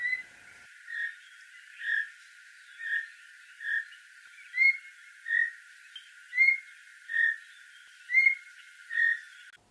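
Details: Red-capped Robin-Chat (Cossypha natalensis) in Southern Africa singing clear, mid-pitched whistled notes about one each second, some with a brief higher accent, against faint background hiss.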